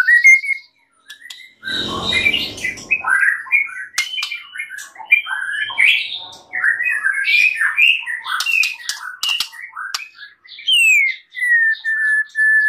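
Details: White-rumped shama master song recording for training birds: a rustling burst, then a busy run of varied chirps, squeaks and slurs, ending in a descending whistle followed by steady level whistled notes.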